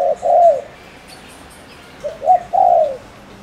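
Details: Decoy spotted dove from Ninh Thuận, Vietnam, cooing quickly to stir up rival males; two phrases of short notes ending in a long, smooth, descending coo, separated by a pause.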